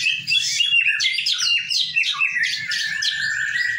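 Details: White-rumped shama singing during group training: a rapid, jumbled stream of fluty whistles and short chattering notes, with a faint low rumble underneath throughout.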